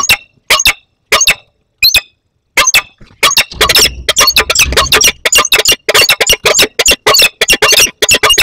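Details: Peregrine falcons at the Barycz Valley, 15 August 2021, a juvenile arriving to meet an adult. Rapid, loud, harsh calls in quick succession, some spaced, then a dense burst of grating notes over low rumbling noise.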